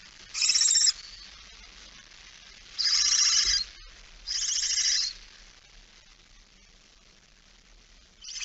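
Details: Barn owl, female with a mouse, 17 September 2019 at 06:11: widely spaced short harsh hissing rasps, three clear bursts and the start of a fourth, with long quiet pauses between.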